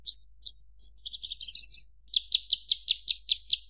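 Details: Javan bush lark singing: a few spaced high chirps, then a rapid buzzy trill, followed by a steady run of sharp clipped notes repeated about five times a second.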